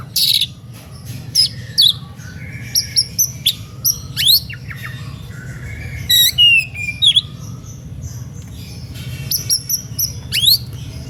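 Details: Oriental magpie-robin in an agitated, fiery whistling song said to provoke listening rivals into singing: varied sharp whistles, rising and falling slurs and harsh chattering notes in quick bursts, over a steady low hum.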